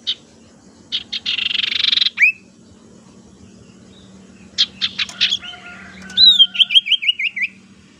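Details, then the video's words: Tailorbird lure call with varied notes, used to attract birds and to coax quiet ones into singing: buzzy high bursts, then sharp chips and a fast run of rising whistled notes, over a low steady hum. "suara pancingan sirtu teras"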